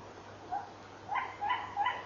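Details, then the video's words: Nighttime tawny owl barking, 23:32, from a fixed camera: one brief nasal note, then a rapid run of three rough, hoarse barks with strong overtones, steady electrical hum beneath. "Bosuil keft"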